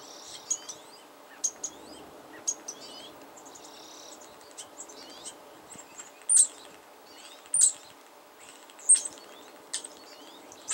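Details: A wild female European starling that comes around often, being loud and chatty: high thin whistles, buzzy rattles and several loud sharp squeaky notes spaced about a second apart near the end, against a quiet background.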